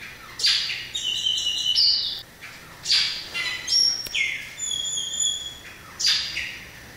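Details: Variable oriole singing a series of loud, harsh buzzy bursts alternating with sustained pure whistles held on a steady pitch. The phrases are repeated about every one to two seconds.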